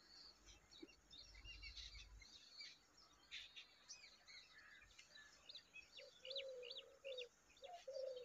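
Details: A bulbul feeding its baby and cleaning up a mess at the nest: quick high chirps and twitters throughout, then several short, low, mellow whistled notes near the end, with a brief low rumble early on.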